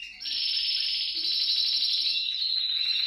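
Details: Singing canary used to stimulate other birds to sing, one long even rolling trill held for nearly three seconds, high and unbroken.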